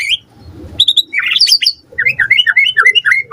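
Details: Lively white-rumped shama song used to prompt a reply: a few high whistles and a buzzy cluster, then a quick series of repeated slurred notes.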